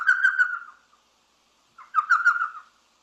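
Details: An elf owl in sycamore-lined riparian woodland along Harshaw Creek in southern Arizona's Patagonia Mountains gives two quick bursts of high, yelping, puppy-like chatter, each under a second long and about two seconds apart, against silence.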